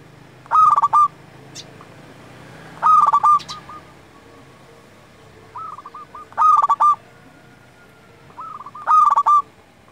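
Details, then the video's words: Local zebra dove song used to lure wild doves and tutor quiet or lazy doves: four loud rhythmic cooing phrases, each a quick stutter of notes ending in a held coo, with softer answering coo runs between them. "Perkutut lokal gacor Paling Manjur Untuk Pikat & Masteran Hitungan Detik Langsung Nyaut"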